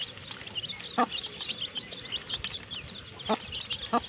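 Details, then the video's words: Baby chickens with their mother, playing: constant soft, high chirping from many chicks, with three short, low clucks standing out near the end, all heard against a quiet background hiss. "Baby Chicks chirping Sounds"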